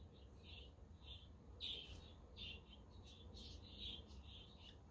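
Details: Pet budgerigars recorded on a windy, sunny day, giving soft chirps around four times a second, with a low rumble of wind beneath.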